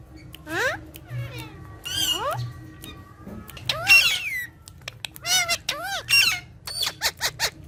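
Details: Green talking parrots interacting playfully with each other: a sequence of harsh, steeply falling and rising squawks and squeals, some drawn out, ending in a rapid series of short sharp calls, with a faint low hum beneath.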